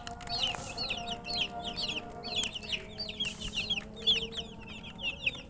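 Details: Thirsty chickens' chicks wanting water give loud, piercing peeps that swoop downward, repeated rapidly by several chicks, with occasional soft rustles between calls.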